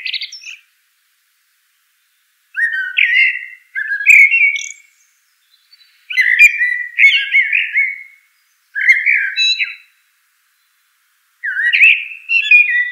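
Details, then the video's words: Eurasian blackbird song: a run of flute-like, slurred warbles, each phrase ending in a brief squeaky twitter, repeated every one to three seconds with clean silences between. "Eurasian Blackbird Call Song Sound"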